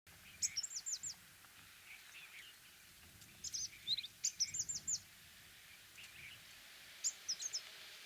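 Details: Orange-breasted sunbird: groups of high, thin, rapid metallic chips and short twittering notes, bursts of three to five separated by pauses of one to two seconds, over a soft low background rumble.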